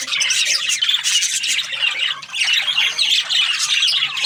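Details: A flock of budgerigars, Australian parrots, keeps up steady raspy chatter and squawking, many birds calling together in a busy, unbroken wash of chirps and grating notes.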